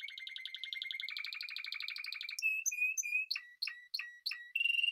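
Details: Spanish timbrado canary song: a steady pulsing low roll, a brighter rolling trill, then spaced short notes separated by brief pauses, ending on a sustained trill.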